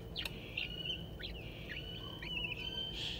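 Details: Zoo-kept crested wood partridge chicks, aged 22 and 11 days, foraging near their parents for bugs and seeds; quick upslurred chirps and twittering over a sustained high whistle, with a brief burst of noise at the end.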